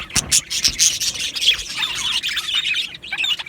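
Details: Two male Australian budgies chatter in quick high chirps and squeaks, opening with a few loud sharp notes and then settling into a steady warbling twitter.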